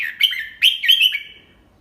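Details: Red-whiskered bulbul used as a teacher for young birds, singing the 'double three' song slowly and clearly; rich, slurred whistles in tight phrases that fall in pitch, then fade out.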